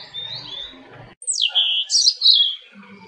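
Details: Robin singing: after a second of faint background hiss, clear high whistled phrases begin, the first a sharp downslurred note followed by a run of bright, warbled notes over about two seconds.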